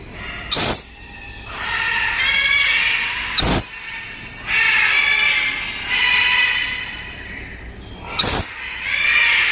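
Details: A dusky lory kept for breeding gives harsh, grating screeches in bursts of a second or two, broken by three sharp knocks, in an echoing room.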